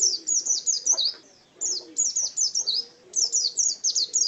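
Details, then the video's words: Contest pleci white-eye singing clusters of shrill descending chirps, a brief pause around the middle, then renewed fast runs of thin high notes. "Birds Chirping Pleci Master Joss Chirps"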